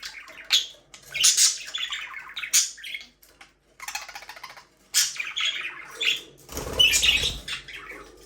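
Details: Pet budgerigars, described as a breeding pair kept in an aviary, chirping for a lonely bird: bursts of bright, scratchy warbling chirps and short squawks come in quick clusters, with brief pauses between phrases and a low thump near the end.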